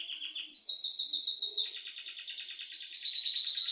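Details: Bird chirping at home in a bright, loud song: quick repeated notes that jump higher into a rapid series, then drop into a long fast rolling trill.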